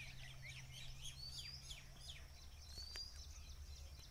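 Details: Vernal hanging parrots at village Pangare give a rapid stream of thin, high, squeaky chirps and short sweeping notes. A steady low hum runs underneath.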